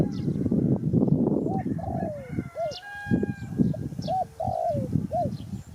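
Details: Spotted dove giving short arched cooing notes in loose repeated groups over steady low rumbling background noise, with faint higher chirps from other birds.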